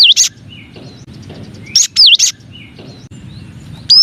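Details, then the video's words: Cinereous tit song from a nine-variation masteran: a dipping whistled note followed by a buzzy burst, repeated roughly every two seconds over a soft, steady low hum. "Suara Masteran Burung Gelatik Batu Atau Gelatik Wingko 9 Variasi"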